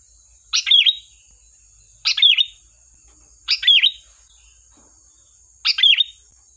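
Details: Four lively bursts from a sooty-headed bulbul, gacor style for luring: each a short cluster of chirps sliding into a V-shaped whistle, about one and a half seconds apart, with a faint constant high hum.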